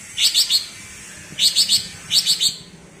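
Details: Cucak ijo (green leafbird) from Alas Purwo, Banyuwangi, in bebeci song: three bursts of bright, buzzy triple chirps, each group about a third of a second long, separated by short silences.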